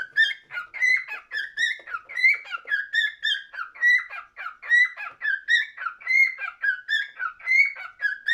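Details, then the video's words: Over eight seconds a cockatiel sings continuously: clear whistled phrases with bright overtones, swooping up and down in pitch and repeated in a lively, irregular rhythm, recorded in a quiet room. "Best Cockatiel singing"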